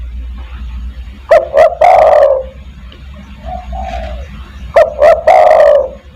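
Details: Spotted dove calling to attract other doves: two loud phrases, each two short clipped hoots followed by a long drawn-out coo, with a softer coo between them over a steady low hum.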